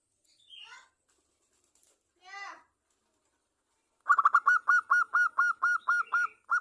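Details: A champion local zebra dove's lure song: two short buzzy descending notes of another sound, a pause, then a rapid rolling start and a long run of steady, clipped whistled coos about twice a second.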